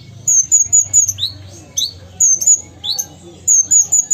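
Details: Actively singing Ruby-cheeked sunbird from Sumatra: strings of shrill, high, downslurred whistles about four in a row, broken by sharp rising chips, with a soft low rumble beneath.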